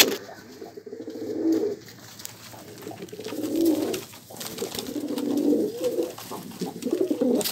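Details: Pigeon cooing indoors in a small room: several low, throaty, rolling coo phrases, each about a second long, coming in bursts separated by short pauses, with faint clicks and rustling in the background.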